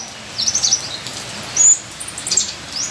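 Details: A few sharp, very high whistled chirps from a ninja sunbird, the loudest a brief piercing note mid-way, over steady rain noise.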